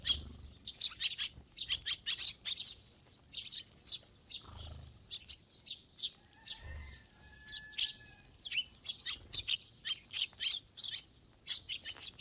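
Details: A crowd of feeding sparrows calling steadily. Rapid, clipped chirps repeat almost nonstop over twelve seconds. Midway a thin, steady whistled tone runs for about two seconds.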